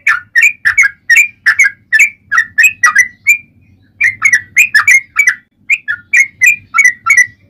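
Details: Rapid, fighting-mood 'ropel panjang' song of a yellow-vented bulbul: rich bubbly notes tumbling up and down almost without pause, one brief break midway, over a soft low hum.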